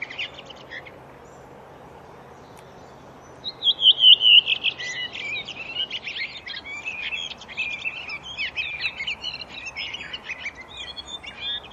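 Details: Redwing song with a brief wavering whistled phrase after a quiet start, then a long jumble of thin, scratchy twittering notes continuing to the end over a faint low hum.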